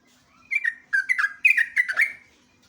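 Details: Sooty-headed bulbul, known locally as jogjog or trucuk, singing an energetic rolling song used as a lure and master recording: a rapid run of bubbly, slurred whistled notes near the middle pitch range, grouped in quick bursts over about one and a half seconds, with faint low hum beneath.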